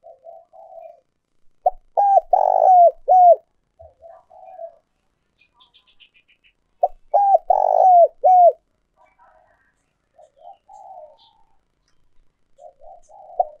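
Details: A spotted dove, an old wild-caught decoy bird used to lure others into traps, gives a low, hollow cooing phrase: a short note, a long loud coo, then two clipped coos, repeating about every five seconds with softer murmured coos between.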